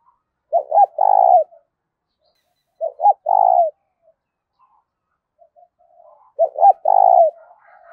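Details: Decoy spotted dove cooing to lure wild doves: three low, hoarse cooing phrases spaced about three seconds apart, each a couple of short clipped notes followed by a longer rolling coo that drops at the end.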